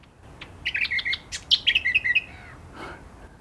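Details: A Mangrove Gerygone in coastal mangroves at Coffs Harbour gives a high, sweet, wavering song of quick thin notes tumbling downward over about a second and a half, a call these small birds use to signal their location to each other, over a soft hiss.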